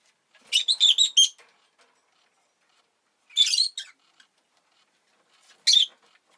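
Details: Shrill chattering bursts from a pet rosy-faced lovebird whose egg has just been laid, a rapid run of grating notes, then two shorter bursts separated by silent gaps of about two seconds.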